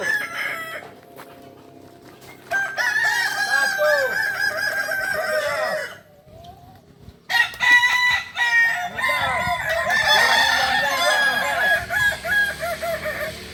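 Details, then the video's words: Native Kukuak Balenggek ornamental chickens from Solok, West Sumatra, crowing at a practice contest; quieter start, then many long warbling crows overlap, a brief lull near six seconds, then dense chorus again. "Latberan ayam kukuak balenggek akb ayam hias asli solok sumbar"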